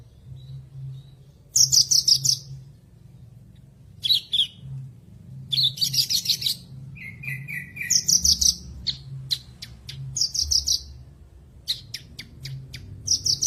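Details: Masteran song of a Javan bush lark for birds that stopped singing after moult or a fallen cage: varied high buzzy trills, a lower run of whistled notes, then rapid sharp clicks and short rattles, over a faint low hum.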